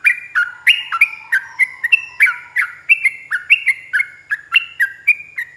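A yellow-vented bulbul sings a long, lively run of bubbly, liquid notes, about two each second, some rising and some dropping. No other sounds are heard.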